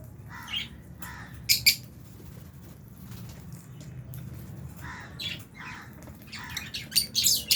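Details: Albino and Fisher's lovebirds at mealtime in an aviary with budgies make squawky chirps in loose clusters, with sharp shrill bursts at the start and a rising flurry of high calls at the close.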